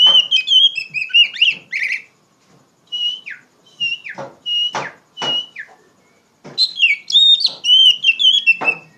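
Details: Oriental magpie-robin in loud ngeplong delivery, played to train young songbirds: clear piercing whistles alternating with sharp downward-sweeping notes, separated by short pauses, ending in a rapid chattering flourish.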